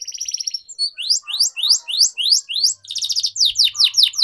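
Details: Atlantic canary in singing training, giving a series of loud sweeping downslurred notes about four per second, then a buzzy rattle and more rapid slurred notes.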